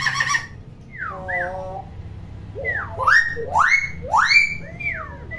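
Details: Common hill myna, noisy captive bird for teaching unvocal young mynas; a harsh buzzy note, a wavering whistle, then loud rising and falling swooping calls with strong overtones repeated about once a second.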